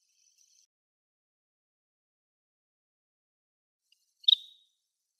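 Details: Wild Greater sand plover on a lawn on Yonaguni Island, Japan: after near silence, one short, sharp, high note with a brief trailing rasp. A faint thin, high buzzy trill is heard at the start.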